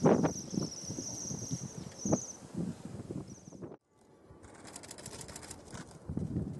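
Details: Wintering Bohemian waxwings in Julianadorp, Netherlands, 6 February 2015, foraging on berry bushes in town: a thin, high, ringing trill held about two seconds, then a brief repeat, over wing flutters, rustling and low rumble.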